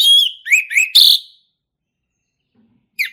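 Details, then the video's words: Male orange-headed thrush heard in the wild forest, singing ngeplong style: a falling whistle, two upslurred notes and a harsh rasping note, then a long pause before a brief new note. "SUARA ASLI HUTAN ANIS MERAH JANTAN GACOR NGEPLONG"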